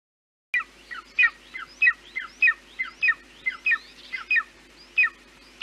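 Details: A Central European Golden Eagle gives a series of short, thin, yelping notes that slur downward, about two per second, fairly steady, against a quiet background.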